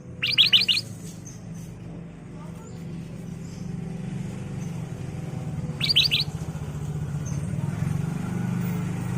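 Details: Ruby-throated bulbul lure song for training caged birds: a quick burst of three or four bright, bubbling notes, repeated after about five seconds, over a steady low hum.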